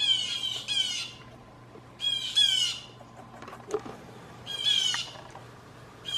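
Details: Group of blue jays in a backyard giving loud false alarm calls to scare gray squirrels: repeated raspy double screams every couple of seconds, with light rustling and clicks between.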